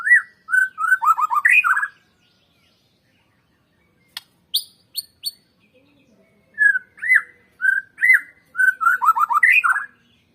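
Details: Murai batu, the white-rumped shama, in a lure recording meant to make birds sing: bursts of rapid varied whistles and slurred notes, a few sharp high clicks in a pause, then another long rich whistled phrase.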